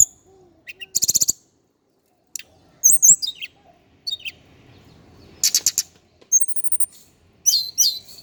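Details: Scattered high phrases from a male Indigo flycatcher of Java: a rapid rattling burst, thin looping whistles, a sustained high piping note and a closing cluster of twitters, with gaps of quiet between.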